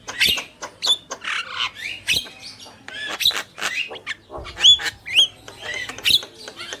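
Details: Male and female Javan mynas singing actively: harsh rasping squawks mixed with short sharp whistled notes, delivered in irregular bursts with brief gaps.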